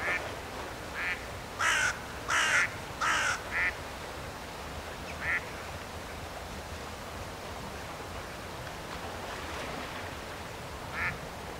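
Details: A Mallard in Leningrad Oblast, Russia, near Roshchino on 23 September 2020: a quick burst of loud, harsh quacks in the first four seconds, then long pauses broken by two single quacks.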